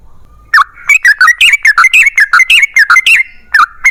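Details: Yellow-vented bulbul in energetic long rapid-fire lure song to make other bulbuls respond: a quick, steady string of rich, bubbly notes that dip and rise in pitch, about four per second, ending with two clipped chirps.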